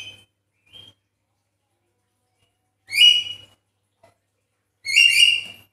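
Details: Javan myna calls used as a lure to get a quiet myna singing. Two loud, harsh, richly harmonic bursts about two seconds apart follow faint short notes, with a low hum underneath.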